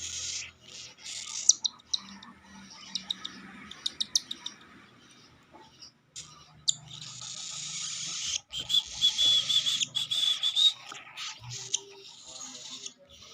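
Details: A cockatiel chick on its fourth day of hand-feeding gives harsh, hissing begging rasps in rapid bursts while being fed.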